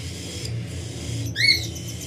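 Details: A brief, sharp rising chirp over a steady low hum as cockatiel parents feed their baby.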